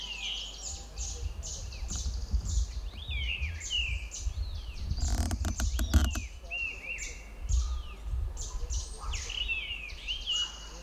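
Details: Territorial song of a grey-winged blackbird in Himalayan hill country: repeated short sweet whistles, arching and falling, with a burst of sharp clicks midway, a constant high rhythmic buzz and low rumble beneath.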